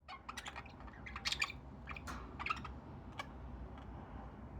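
Budgerigars chatter in quick, scratchy chirps and clicks over a low background hum.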